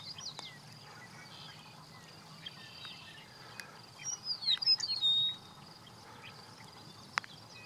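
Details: A meadowlark at Rocky Mountain Arsenal on 13 June 2016 gives one quick, fluty song phrase of slurred whistles that tumble downward, over a steady high insect-like hiss in open country.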